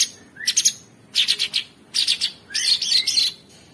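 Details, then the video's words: Sooty-headed bulbul song for training songbirds, in a rough style: four short bursts of scratchy, chattering notes, some opening with a quick rising whistle, separated by brief pauses. "Masteran Mewah Cucak Sungkok Buat Burung Jawara isian Kasar Ngebren Abis"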